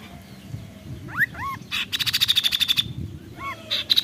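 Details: Singing kaso-kaso bird: curved, rising whistled notes, then a rapid buzzy rattle of evenly spaced pulses lasting about a second. More whistles and a short burst follow, over low background rumble.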